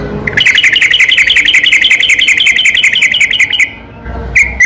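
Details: Yellow-vented bulbul at night in a long rolling song, played to provoke silent bulbuls into answering: a fast, even stream of bright chattering notes lasting about three seconds, then a brief gap and renewed sharp chirps.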